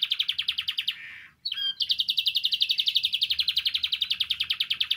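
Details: Song of a canary, intended to stimulate canaries into singing: a fast, regular pulsed trill, briefly broken by a softer buzzy note and a short pause, then resuming evenly for several seconds.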